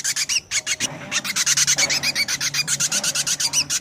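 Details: Ashy drongo calling noisily in a recording used as a bird-trapping lure: a dense run of harsh, raspy, buzzing notes repeated about four times a second, with a few faint whistled notes mixed in.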